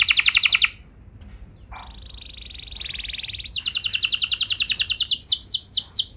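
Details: Canary lure song meant to set other canaries singing: a brief buzzy trill, a quiet pause with a faint thin steady tone, then loud fast pulsed trills and looping whistles.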